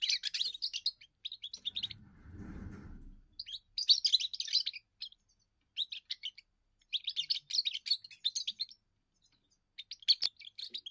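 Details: Young European goldfinch's first song, meant to warn rivals off its area and impress females: high, liquid twittering phrases separated by pauses, interrupted once by a brief low rumbling noise.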